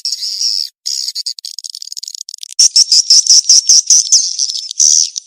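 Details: Swiftlet mating-chase lure call. A steady high buzzing gives way to a fast series of sharp, clicking chirps, about three per second, ending in a longer rasp.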